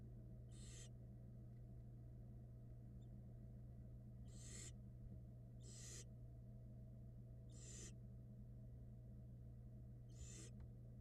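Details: Barn owl nestlings in a nest box camera in Florida during feeding, one swallowing a rat whole. Eggs were laid in January 2022. Harsh, broadband hissing screeches come roughly every two seconds over a steady low electrical hum.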